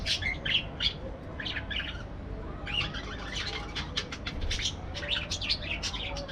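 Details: Parakeets in an aviary: dense, overlapping high chirps and short squeaky notes in quick bursts, with a steady low rumble beneath.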